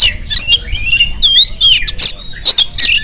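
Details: Oriental magpie-robin singing in the morning, a song meant to prompt other birds to sing: loud, varied whistled phrases and harsh buzzy bursts, high-pitched, tumbling in quick succession with short gaps.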